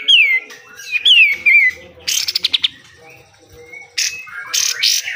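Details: Lively pied triller song in 'besetan' style, recorded to train caged birds: two clear downward-sliding whistles, a short rattle of quick notes, then harsh noisy bursts.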